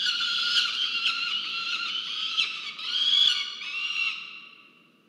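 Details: Peregrine falcon at a research nest camera run by Charles Sturt University in Orange, New South Wales, Australia, on 15 November 2022 as the male brings food: drawn-out, harsh, wailing harmonic calls that rise slightly and then fade away.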